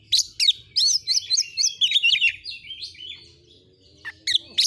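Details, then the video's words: Oriental magpie-robin (kacer) singing energetically in a clear masteran training recording. A rapid run of varied high whistled and chirped notes, some rising and some falling, is followed by a brief pause and a few sharp notes. "Masteran burung Kacer AUDIO JERNIH BUAT ANGKAT EMOSI AGAR CEPAT ON NGOBRA,Kacer gacor"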